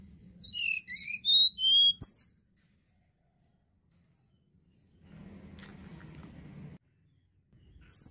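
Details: Sunda blue robin song of high, slurred whistled notes in a quick run, then silence, a stretch of low noise, and a final bright note.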